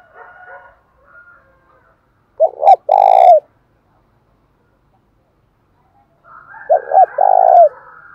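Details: Spotted dove used as a decoy to make wild doves coo. It gives two low cooing phrases, each of two brief hooked notes and a long sustained coo, separated by about four seconds of silence. Soft twittering sounds at the start.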